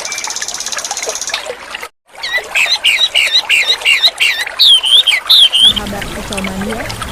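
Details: White-rumped shama singing energetically: after a busy burst of chirps with a high buzzy trill and a brief silence, a run of looping, wavering whistles grows louder, set against running water and a low hum near the end.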